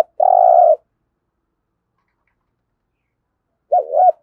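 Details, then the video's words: Spotted dove calling in the 'thúc gù' style for daily decoy training: a long, even, low coo, a pause of about three seconds, then the wavering double-note opening of the next phrase. "Tiếng chim cu gáy thúc gù cực đỉnh/ chim cu gáy tập mồi luyện bổi hót theo hàng ngày rất hiệu quả"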